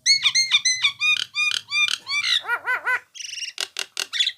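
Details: Nias hill myna training recording: a fast repeated sequence of bright falling whistles over a faint low hum, then looping wavy notes, a buzzy high trill, and sharp clicking squeaks.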